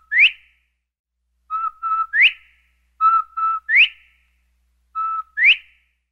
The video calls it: bobwhite quail sound clip